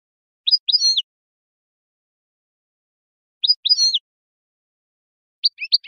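European goldfinch giving short, bright twittering phrases of quick liquid notes, repeated about every three seconds with clean silence between.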